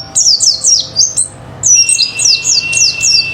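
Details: Oriental white-eye (pleci) lure song for provoking other birds to sing: series of quick, high, downslurred notes repeated in short bursts, then a steady thin whistle beneath more falling chirps.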